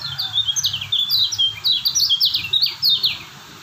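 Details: Bright, fast song of a lemon-bellied white-eye from Lombok: repeated high whistles sliding sharply downward, strung into a busy twittering sequence before stopping, over a soft low hum.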